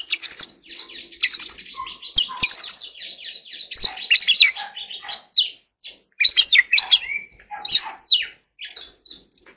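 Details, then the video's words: Forest-voice song of an Oriental magpie-robin in training: rapid stuttering trills at the start, then a stream of varied chirps, slurs and whistled phrases with small pauses between. "choè than hót giọng rừng"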